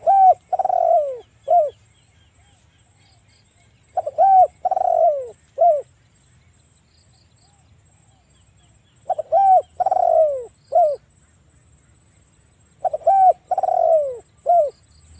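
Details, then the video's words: Spotted dove (tekukur) gives loud, mellow cooing phrases, each a short run of three to five hoarse coos, repeated every four to five seconds with quiet between. "TEKUKUR GACOR Suara Besar"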